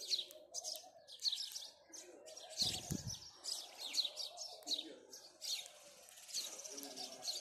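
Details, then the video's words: House sparrows chirping in the morning: dense, repeated bright chirps overlapping one another, with a steady low cooing of a dove underneath and a brief low thump partway through. "house sparrow chirping"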